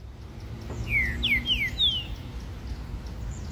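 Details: A green-winged saltator at Praça Jauru in Rio de Janeiro gives a brief phrase of four clear, downslurred whistles in quick succession, over a low background rumble.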